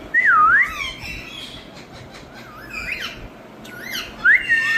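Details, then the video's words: Indoor rose-ringed parakeets, Indian ringneck parrots being taught to talk: a loud dipping-then-rising whistle opens, softer warbled and squawky notes follow, and another sharp rising whistle comes near the end. "Teach Your Parrots🤍Talking By Showing🍃 This Indian Parrots Talking"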